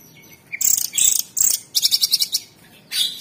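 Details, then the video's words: Cucak cungkok, the orange-bellied leafbird, kept as a cage bird and recorded as a master song: a short upslurred whistle, then rapid high bursts of chips and a string of six quick, evenly spaced sharp notes. "TEMBAKAN ISTIMEWA CUCAK CUNGKOK SUPER GACOR !!! Masteran Terbaik"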